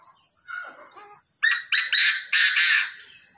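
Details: Tamed Chinese francolin, with a low, soft, chattering phrase first, then a loud, harsh run of five grating notes, the last two longer and drawn out.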